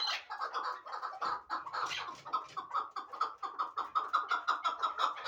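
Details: Fighting and hunting hybrid partridge delivering a fast, steady series of clipped chuk-like notes, nearly three per second, settling into a regular, pulsing rhythm toward the end.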